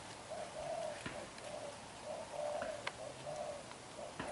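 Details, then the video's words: Young black-eyed spotted dove, a kept bird, giving intense bowing coos: low, husky coo phrases in short bursts about every half second to a second, with faint clicks and light rural background noise. "Bổi Tơ mắt đen, đập gù quá dữ"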